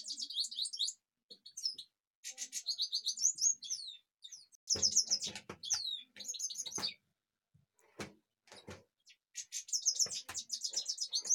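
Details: Kashmir goldfinch pouring out a fast, high-pitched twittering song of jangling trills and buzzy phrases, with short gaps and occasional sharp clicks.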